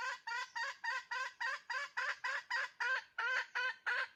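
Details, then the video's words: Decoy hen cackling steadily, a rapid train of harsh, harmonic clucks about three to four per second, evenly spaced and loud, with no other clear sounds. "Poj qaib dib tsauj thiab seev zoo เสยงเมยไก่ต่อกะร้อง"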